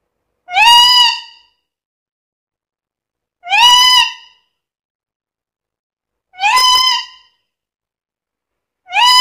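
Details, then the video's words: Talking black-capped lory repeating a rich, nasal, harmonic call like a drawn-out voice, each about half a second long and roughly three seconds apart, four times in a row. "BURUNG NURI KEPALA HITAM GACOR BISA NGOMONG SUPER CEREWET"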